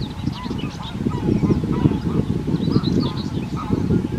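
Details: European Turtle Dove on 25 April 2021 giving its deep, rolling purrs, each lasting about a second and repeated without pause; faint high chirps of other birds above.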